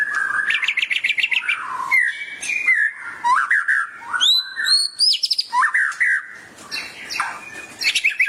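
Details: Training song of the white-rumped shama for other birds: rich continuous whistling, a fast run of repeated notes, then sweeping rising and falling phrases, clear high upslurs and varied mimic-like notes.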